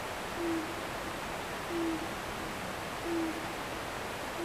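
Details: Owl calling after sunset on a wooded hill behind a house: three short, low, steady hoots spaced about 1.3 seconds apart, faint beneath the constant rushing of a nearby river.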